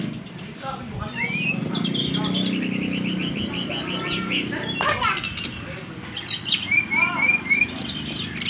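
A rich, fast medley of high whistles, chirps and trills from an Oriental magpie-robin, with a low background murmur that may be voices.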